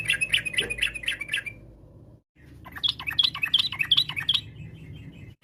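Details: Yellow-vented bulbul (trucuk) singing a varied, garuda-style phrase meant to make other bulbuls respond: a run of bright chirps, a short gap, then quicker high chattering notes over a steady low hum.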